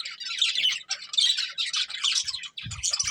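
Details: Budgerigar breeding pair giving continuous high, raspy chirps and warbles, almost without pause, with brief low thumps near the end.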